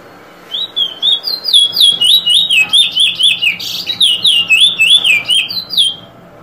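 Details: Eurasian Bullfinch giving drawl and weet drawl calls: a rapid, steady run of clear whistled notes, each slurring downward, about two per second for some five seconds, close and loud over a quiet background.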